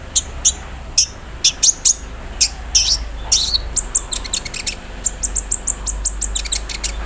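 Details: Olive-backed sunbird in a cage, out in the morning dew, singing embroidery-machine imitation in a 'cerrr' manner. Spaced high chips speed into tight, stuttering bursts of sharp notes, over a soft low background hum.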